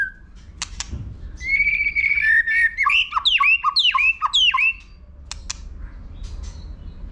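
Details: Singing White-rumped shama in contest mode, a long whistle leading into a rapid run of rising and falling notes, framed by sharp clicks and quiet gaps.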